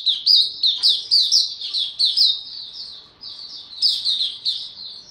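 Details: Maturing song of a young male white-eye, 9 February 2022: a quick, high-pitched run of chirpy slurred notes in pulsing bursts, easing briefly before another lively twittering phrase.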